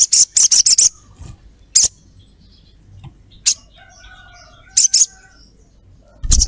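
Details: Female crimson sunbird calling to a male, used to provoke calling: a quick burst of four high, thin chirps, then isolated single and paired chirps amid quiet.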